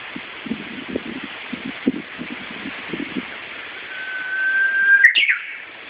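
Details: Japanese bush warbler singing after several seconds of low, scattered knocking sounds. Near the end a whistled note swells, then a brief, abrupt flourish ends it.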